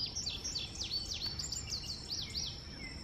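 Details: Indigo bunting giving a quick run of high, sweeping whistled notes, rising and falling and often paired, continuing for about three seconds over a steady thin high whine and low background rumble.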